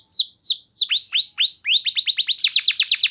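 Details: Canary singing, meant to draw other canaries into song: slow downslurred whistles become upslurred notes, then speed up into a fast, even trill of rising chirps.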